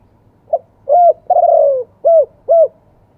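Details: One phrase of wild-voice, two-kuk spotted dove song: mellow hollow cooing, with a long falling middle coo followed by two evenly spaced short coos, over faint low background hum.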